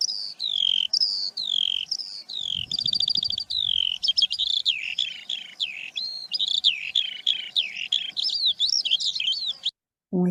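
Eurasian skylark pouring out a continuous, rapid stream of high warbles, trills and chirps with barely a pause, ending in a brief cut-off.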